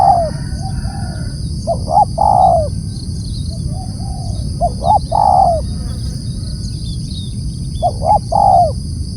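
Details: Repeated loud calls of a spotted dove, three phrases of two short coos leading into a longer, descending coo. Quieter coos answer between them. A constant high hum and a low rumble are also heard.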